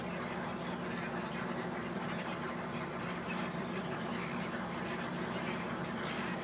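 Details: Harsh croaking of a huge gathering of egrets flying in to roost, a thick wall of overlapping guttural calls that swells and fades slightly, with a constant low rumble in the background.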